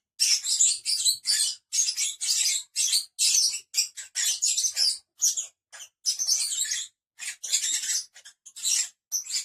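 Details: Five pet lovebirds give shrill, high-pitched chirps and squeaky chatter in quick bursts, some overlapping, with brief pauses between them over about nine seconds.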